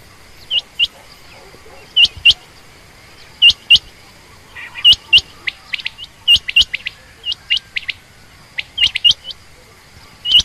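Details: A female quail gives crisp high double notes, each pair about a second or more apart, with some looser runs of single ticks, over a faint steady hum.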